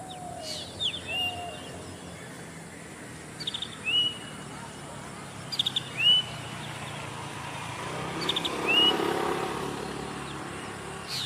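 Zitting cisticola giving sharp, high, clipped 'zip' notes, each slightly upslurred, spaced about two seconds apart, with a soft rumble of distant traffic behind.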